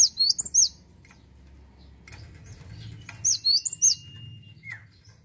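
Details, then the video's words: Cinereous tit singing two short bursts of quick, high, sharp two-note phrases separated by a low murmuring background, ending with a thin steady tone and a downslurred whistle. "GELATIK WATU GACOR"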